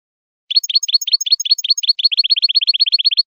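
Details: European goldfinch song used to tutor young goldfinches: a fast, even trill of high, sharp rising notes, about six per second and quickening toward the end, over a silent background.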